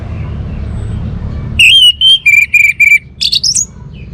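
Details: Orange-headed thrush singing a row of five or six clear, level whistled notes followed by quick rising, twisting higher notes, after a stretch of low hum.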